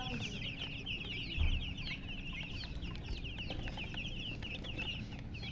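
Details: Baby chicks peeping in a dense, overlapping chorus of short high chirps, many birds calling at once without pause; a low rumbling background hum runs underneath throughout.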